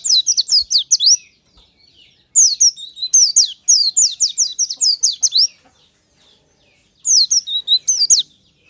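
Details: Morning song of an Oriental white-eye: repeated runs of rapid, bright, high-pitched twittering, each note a quick downslurred whistle, delivered in three long bursts with brief pauses.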